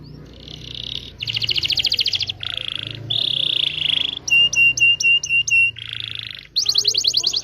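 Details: Canary in full long song meant to teach young canaries, stringing together varied blocks of rapid buzzy trills and rolls, a short series of five sharp repeated whistled notes, then a bright fast trill to finish.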